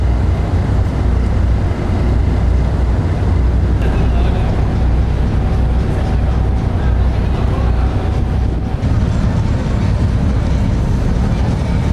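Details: Steady low engine rumble of a boat with wind buffeting and faint voices, no animal calls heard.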